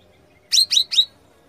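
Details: Sooty-headed bulbul in full song, giving a sharp burst: three quick, high, down-slurred whistled notes in under a second, over a quiet background.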